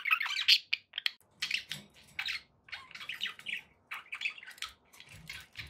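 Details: Contented budgerigars kept as pets chatter in busy, grating warbles and sharp squeaks, loud at first then softer, with faint low rustling beneath the calls.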